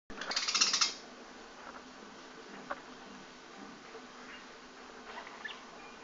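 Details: A 15-day-old budgerigar chick gives a harsh, raspy burst of begging chatter, followed by faint chirps.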